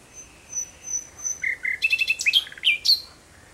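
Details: Common nightingale singing at dusk in June 2017: thin high whistles lead into a fast rattling series and several bright, ringing descending phrases, crisp and clear.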